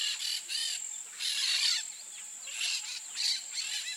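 Peach-fronted parakeets give harsh, grating screeches in short bursts, about five in four seconds, over a steady high insect drone.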